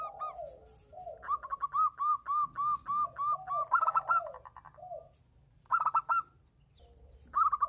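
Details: Breeding-condition local zebra dove calling in exchange with a female: a run of about ten evenly spaced clipped coo notes, then lower sliding coos and two more quick bubbling bursts.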